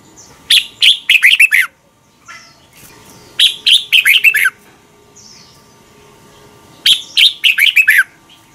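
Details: Red-whiskered bulbul from Thailand, a training recording of the doubled song for young birds. Three energetic phrases of rapid, ringing, slurred notes, spaced a few seconds apart, with soft thin whistles in between.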